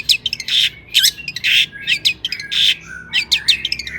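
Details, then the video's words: Long-tailed shrike singing vigorously, used as a lure to make other shrikes sing: harsh, buzzy broadband bursts alternating with short high whistles and sharp chirps, about a dozen notes in quick, irregular succession. "suara cendet gacor PALING DI MINATI,, PANCINGAN CENDET AGAR BUNYI"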